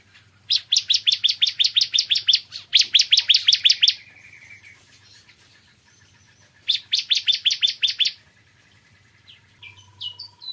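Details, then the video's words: Morning song of a bar-winged prinia: back-to-back rapid strings of sharp, ringing notes, a soft trailing buzz, a pause, another fast burst, then faint scattered chips near the end over a low hum. "Kicauan Ciblek Kristal Dipagi Hari"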